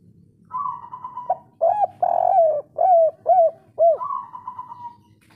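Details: Powerful local kuk 3 spotted dove calling to excite other doves' breeding drive: a soft level note, then a rhythmic string of five hooting, arched coos, closing with a drawn-out slightly falling tone.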